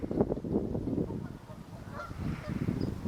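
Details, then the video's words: Large flock of Canada geese resting on a pond during migration back north to nesting grounds, alongside ring-necked ducks, mallards, common goldeneyes and lesser scaups; dense, overlapping low honking and chatter forming a continuous rumbling din. "Sounds of Large Group of Canadian Geese and Ducks Migrating Back North"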